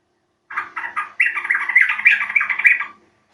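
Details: Lure call of a yellow-vented bulbul for coaxing birds to sing: three separate bubbly notes, then a continuous gurgling chatter of quick, slightly rising phrases lasting about two seconds.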